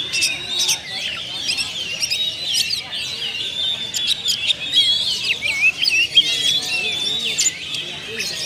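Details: Kept oriental magpie-robin (kacer) in full song, a lure recording meant to show off its varied repertoire of fills: fast, busy run of whistles, sweeps and sharp chirps, high and continuous with clicking notes.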